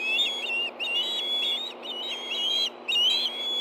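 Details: Osprey calling at a Hellgate Canyon nest in Montana on the morning of 24 August 2013 during the commotion over a delivered fish: near-continuous shrill whistled notes, wavering slightly in pitch, with two brief breaks.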